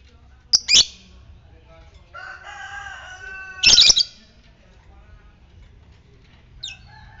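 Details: Fighter lovebird, ngetik style, used as a lure to trigger ngekek singing in other lovebirds: two sharp high chattering bursts separated by a wavering tonal hum, then a faint short note near the end.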